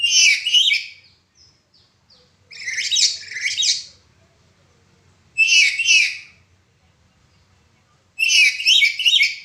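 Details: Black-capped lory giving 'suara pecah' broken-voice calls, recorded as a tutor recording for training other birds: four loud, grating squawks, each about a second or more long, spaced two to three seconds apart with quiet gaps between.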